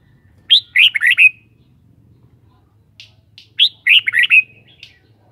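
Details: Red-whiskered bulbul singing: two short, loud, liquid warbled phrases about three seconds apart, each a quick run of four or five bright rising-falling notes, with faint low hum beneath and no other birds.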